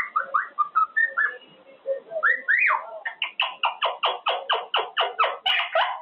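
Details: Male Quaker parrot in his cage, practicing sounds: several short rising whistles first, then a fast series of harsh, evenly spaced chattering notes.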